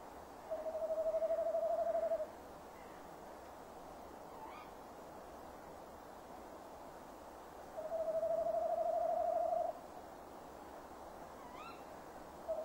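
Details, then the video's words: Tawny owl, a male, hoots by the nest box on a December evening in 2015 at 17:10: two drawn-out, wavering hoots about six seconds apart, a third beginning at the end, over quiet background hiss. "Bosuil M roept"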